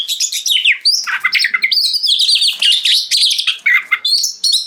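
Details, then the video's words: Dense, energetic song of an oriental magpie-robin meant to trigger other magpie-robins to sing back: scratchy chatters mixed with high whistled slurs, delivered in a near-continuous, rapid flow. "Suara Kacer Gacor Ngeplong Bikin Kacer Lain Ikut Nyaut Bunyi Dan Gacor"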